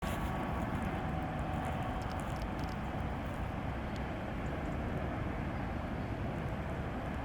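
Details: Steady low rumble of passing traffic or an engine fills the whole recording, with no animal voice audible.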